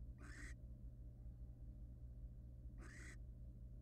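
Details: Two rough, hissy screeches from a wild barn owl inside a nest box, spaced over two seconds apart, with a constant low electrical hum behind.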